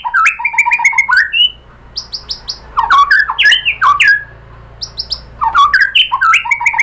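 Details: White-rumped shama song serving as bait for a caged shama to reply: three bursts of rapid, varied whistles with high sharp chips and falling slurred notes, brief quieter spaces between bursts.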